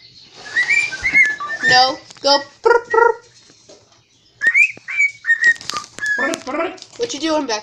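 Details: Talking pet cockatiel, believed male, singing in a kitchen while attempting the Addams Family tune: short whistled notes and chattering bursts, mixed with harsher mimicked sounds and a quiet stretch midway.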